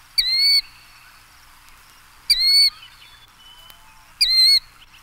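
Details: Killdeer, first of three examples among songs of eastern birds, gives three loud, piercing, high calls, each a drawn-out, slightly rising note repeated about every two seconds over a quiet background.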